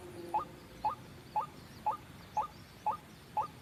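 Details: White-breasted waterhen lure call for trapping, seven brief rising notes spaced evenly about half a second apart, clear against a quiet background.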